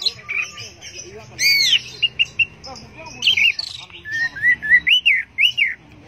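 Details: Orange-headed thrush, 'teler' style song: mixed buzzy chatter and arching whistled notes, building to a series of loud rising-and-falling slurred whistles near the end.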